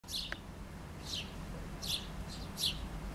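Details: A chickadee, feeding at a back window before leaving with food, gives short, husky, high dee notes, about five in three seconds at an uneven pace, over a low steady rumble.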